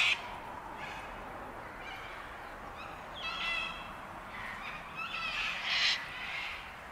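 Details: Sulphur-crested cockatoos, a flock at Bundanoon station, Australia, recorded in June 2021. Harsh, raspy screeches rise over a steady background hiss, with several loud grating calls clustered toward the end.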